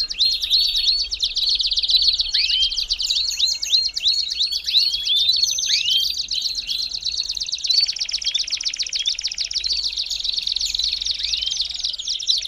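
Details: Belgian canary, song used to warm up a canary: long unbroken stretch of buzzy, rapid trills punctuated by repeated rising whistled notes, with the tempo quickening toward the end.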